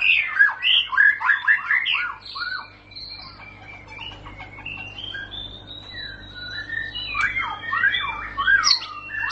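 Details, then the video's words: White-rumped shama delivering bursts of rich, varied whistles at the start and end. Between them is a quieter stretch of faint, thin notes and a long high drawn-out tone. "Murai batu bakal langsung ngentrok"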